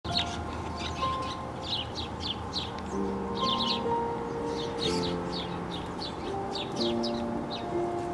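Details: A male house sparrow, with mate and nestlings at the nest, gives bright, chirpy notes in a steady, repeated series, about three a second, over soft background music; recorded 23 July 2018.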